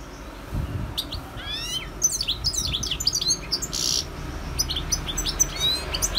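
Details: European goldfinch singing: rapid twittering phrases of high, bright notes with quick downward sweeps and buzzy trills, delivered in bursts over several seconds with faint low background rumble.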